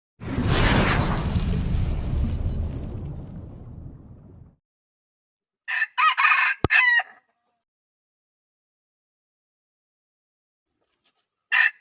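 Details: Wild red junglefowl rooster giving a loud, harsh crow lasting about four seconds, followed after a pause by a cluster of short clipped calls and another brief call at the end, otherwise silent.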